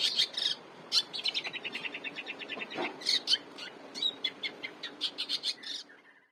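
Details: Long-tailed shrike in lively song, used as a master recording for training cage birds: loud scratchy bursts mixed with a run of quick descending ticking notes and varied sharp chirps, fading at the end.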